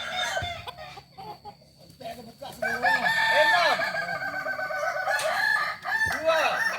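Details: At a shared training meet in Solok, Kokok balenggek cocks give long multi-step crows. A quieter opening gives way after about two and a half seconds to dense, overlapping arched notes, with sharp clicks in between.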